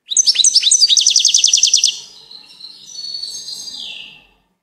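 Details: A singing goldfinch gives a fast, tinkling burst of high chirps that speeds into a rapid trill, then trails off into a wavering, nasal buzz that slides lower.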